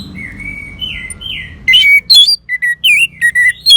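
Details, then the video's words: Orange-headed thrush song used as therapy for a silent caged thrush: quiet slurred whistles at first, then a lively string of loud, varied sharp notes and twisting whistles, each about a quarter second apart. "Terap1 Suara ANIS MERAH Macet Bunyi Agar Mau Kenceng Dengar Kicauan Ini"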